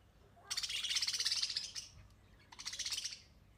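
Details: Budgerigar chattering: two bursts of rapid, scratchy warbled notes at high pitch, the first about a second and a half long, the second shorter, with a quiet background.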